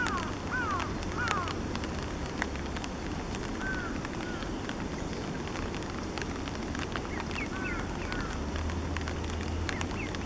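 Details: Somewhat grown Eastern spot-billed ducklings, recorded 5 July 2015, give thin, curving peeps in scattered bursts, a few each second, over steady rushing wind and low rumbling background noise.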